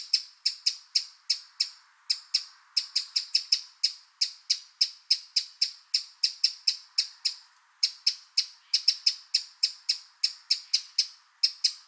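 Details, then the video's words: Eurasian wren in the wild keeping up a long, insistent series of loud, clipped high ticks, several per second, broken by two brief pauses over about twelve seconds. "Eurasian Wren Sound – Song & Bird Calls"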